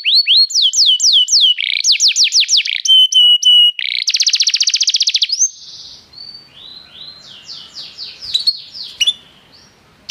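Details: Canary singing restlessly: quick repeated downslurred notes, a held whistle, then a dense buzzy trill, before the song fades into softer, quieter phrases and faint background noise.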